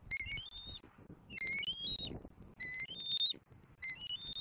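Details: Young wild bald eagle in Southwest Florida on an April 2024 afternoon, begging toward its mother. Clear, high whistles that step upward within each phrase, given in bursts of two or three notes, with a quiet gap between bursts.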